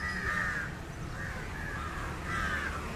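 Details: Indian jungle crow feeding on fish gives three harsh, drawn-out caws spaced about a second apart, each a rough nasal band, over steady low background rumble.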